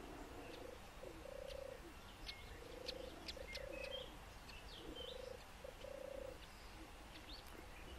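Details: European turtle dove, a seriously endangered species, at a breeding site in Lower Silesia, Poland: low, soft purring phrases repeated about every one to two seconds, with small birds chirping and twittering higher in the background.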